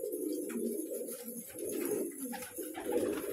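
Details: Colourful pet pigeons cooing together in what sounds like a small enclosed space. Low, throaty coos overlap almost continuously, rising and falling in soft pulses, with faint rustling above.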